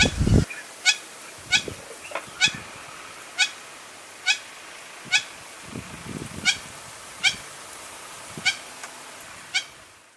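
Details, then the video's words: A Hamerkop (African hamerkop) gives about a dozen sharp, nasal, honking notes, spaced roughly every three-quarters of a second, over low rumbling background noise. "Le Cri de l’Ombrette africaine | Hamerkop call / sound"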